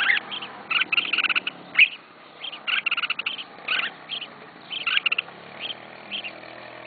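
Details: Red-whiskered bulbul kept by a beginner, singing busy runs of quick chirped and warbled notes in repeated bursts, with a low hum beneath.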